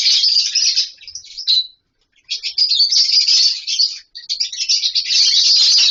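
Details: Colony of caged lovebirds, with wooden nest boxes and mud bowls, calling while playing and eating: loud, continuous shrill chattering from many birds, broken by one short silence near two seconds.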